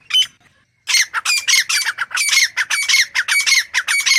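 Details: Grey francolin calling: one sharp note, a pause, then a rapid sequence of harsh, scratchy squawks repeated nearly twice a second, loud and close.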